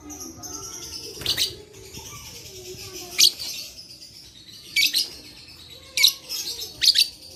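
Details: Lovebird recorded 11/4/21 as a lure to get quiet lovebirds singing: repeated piercing rasping chirps at irregular intervals over a continuous high, fizzing twitter.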